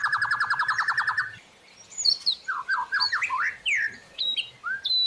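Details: White-rumped shama master song for training caged birds, with inserted fills from other birds: a fast buzzy trill of repeated notes for over a second, a pause, then quick rising and falling whistled slurs in a loose series.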